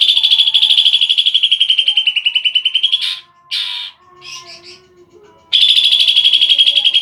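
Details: Lively greater green leafbird song: a long, rapid, even trill of bright chips that slightly dips and rises. After a short break with a few buzzy notes, the fast trill starts again.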